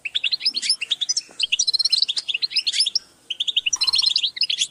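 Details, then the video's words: Several European goldfinches calling together: quick, bright, liquid twitters and chirps tumbling over one another, pausing briefly before resuming. "Group calls for goldfinch"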